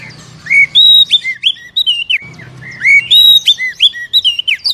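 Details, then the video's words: Oriental magpie-robin song used to stimulate a captive bird to sing: loud, varied whistled phrases with rising and falling slurred notes, repeated in two similar bouts, over a low background hum. "SUARA PANCINGAN BURUNG KACER AGAR CEPAT BUNYI DAN GACOR"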